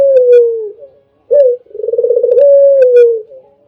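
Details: Sweet-voiced albino spotted dove recorded as a training master: the tail of a falling coo, a pause, a sharp short note, then a quickly throbbing low coo that smooths into a long gently descending tone; faint clicks.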